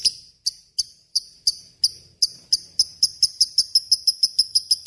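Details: Lovebird in full voice, recorded as a tutor for murai and kacer songbirds: sharp high chips that speed up from about three to five per second into a rapid chattering run.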